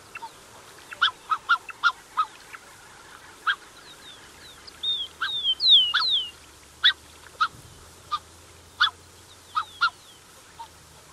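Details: Black-necked Swans, adults with cygnets, close by: sharp short honking notes at irregular intervals, broken midway by a loud series of wavering, descending whistles, then more spaced honks.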